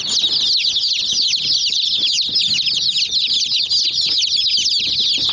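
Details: A flock of chicks pecking at a miniature toy jeep; steady, high-pitched peeping from many birds at once, fast and overlapping, forming a constant chattering wall of sound.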